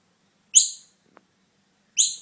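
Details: Fledgling Noisy Miner found alone with no mother in sight and taken home for care; two loud, harsh, high rasping calls about one and a half seconds apart, each brief and fading quickly, against a quiet background.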